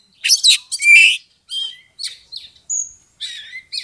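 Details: Oriental magpie-robin lure song for goading a rival kacer into combat. Separate short phrases mix harsh buzzy notes with clear whistles, including one thin high whistle held steady, spaced by brief pauses.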